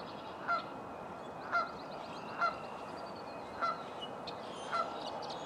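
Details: Virginia rail in a local park in the morning, giving short nasal harmonic calls at a steady pace, about one per second, five in all, over a constant hiss of background noise.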